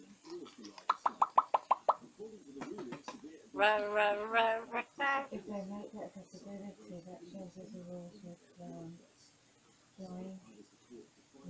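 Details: African grey parrot babbling and singing at bedtime while settling down: a fast run of sharp clicks, then loud harmonic speech-like phrases and warbling mimicry fading into quieter mumbled babble, indoors with a human voice nearby.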